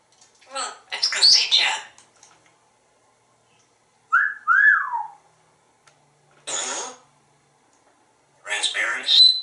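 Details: Talkative male African Grey parrot kept at home in Texas, producing bursts of speech-like chatter and a pair of clear whistled notes, separated by short quiet gaps in an indoor room.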